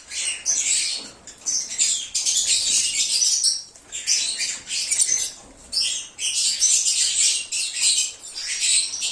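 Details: Lovebirds singing and chirping, used as a lure to draw back an escaped bird: continuous high, harsh chattering and shrill squeaks in dense bursts, with only brief gaps.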